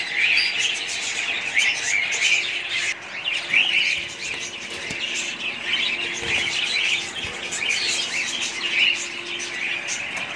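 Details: A continuous budgerigar chorus of shrill chirps, squeaks and warbled phrases, all overlapping, with occasional faint taps underneath.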